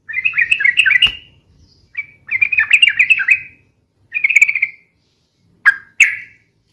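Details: Sooty-headed bulbul singing rapidly in ropel style: two quick chattering phrases, a shorter warble and two abrupt clipped notes, with a faint low rumble underneath.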